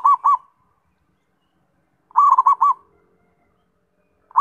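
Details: Zebra dove, known locally as perkutut, singing clear rounded coos in short bursts, a phrase of about four notes roughly every two seconds, clean background.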